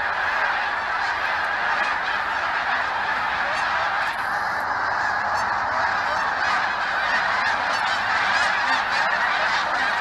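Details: Geese from a huge yearly visiting flock, a steady wall of overlapping honks, many birds calling at once without letting up.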